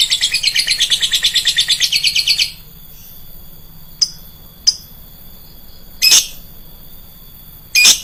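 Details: Shrill lovebird lure sound: a rapid, high chattering trill for about two seconds. It breaks off into quiet, then a few scattered harsh, sharp squawks and short clicks follow.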